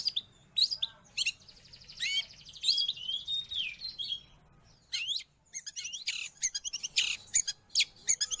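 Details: Long-tailed shrike song for tutoring caged birds or attracting wild ones: soft twittering warble after a few opening notes, a brief pause, then a burst of loud harsh chattering clicks.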